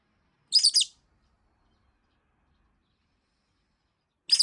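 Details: Nonstop complaint calls from a pet rosy-faced lovebird neglected for over a week: a harsh chattering screech of three quick pulses, silence, then another begins near the end.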